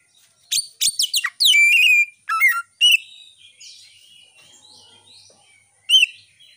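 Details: White-rumped shama singing as a lure to excite and arouse other shamas, captured on a Realme phone; sharp clustered whistles and a long sweeping whistle, then quieter warbling and one final emphatic note near the end.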